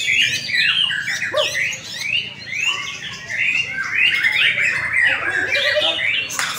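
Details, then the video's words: Caged white-rumped shama performing at an Indonesian latber contest. Quick, looping whistled phrases and chattering notes repeat in rapid succession, with other singers overlapping. "LOMBA BURUNG | Murai Batu"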